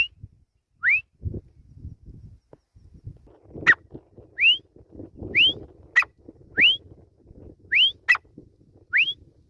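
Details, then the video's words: Grey francolin giving a series of ringing upslurred whistles, about one every second, interspersed with sharp clicks and low knocking background noise. "Teetar ki Awaz |Grey Francolin Voice"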